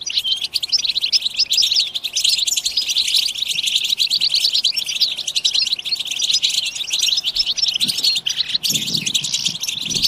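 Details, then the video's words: Many European goldfinches chattering together in a batbata chorus meant to excite other goldfinches to sing. Busy high twitters and trills overlap without pause, with a few soft low thumps near the end. "اقوى بتبتة جماعية لتحفيز الحسون على التغريد"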